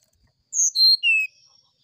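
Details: Oriental magpie-robin singing in the morning in a flute-like sulingan style: three clear whistled notes that step down in pitch, each about a quarter-second long, with faint higher overtones, against an otherwise silent background.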